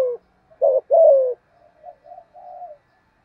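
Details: Field-voiced spotted dove coo used to stimulate other doves: a short double coo and a long coo sliding downward, then several softer, fading trailing coos.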